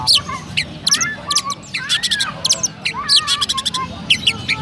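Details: Loud sparrow-style singing by a caged Oriental magpie-robin from Pemalang, Central Java: bright clipped chirps in fast series interleaved with curved, mid-pitched whistled notes.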